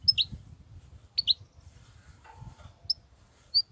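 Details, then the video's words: Wild goldfinch with unbroken 'batbatat' song: quick doubled chirps that dip in pitch, the first two pairs close together, then single thin high notes later, over soft low thumping noise. "صوت الحسون البرى:مقنين خلوى ممتاز..بتبتات.. غناء لاينقطع"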